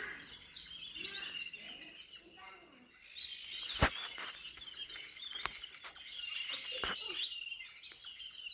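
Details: Birds chirping indoors at home: a dense, continuous chatter of high, thin twitters and tweets, with a brief lull near the start, faint low voices early on, and a few sharp clicks.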